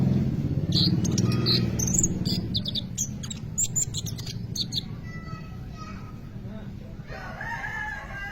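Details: Sunbird song used as a lure for training other birds: rapid high, thin chirps and sharp ticking notes in quick bursts, fading into softer warbled phrases near the end over low background rumble.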